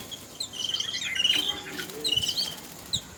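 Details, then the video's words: Yellow-billed babbler bathing, Sri Lanka: a dense run of high, squeaky, overlapping chatter notes, rising and falling in busy bursts, with some rustling and splashing noise. "bathing billed bubbler with sound"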